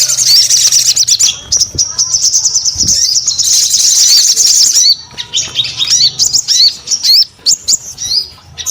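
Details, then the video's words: Lively high song from a crescent-chested babbler: a dense trilling run for five seconds, then separate sharp upslurred whistles repeated in quick succession. "SUARA SOGON GACOR"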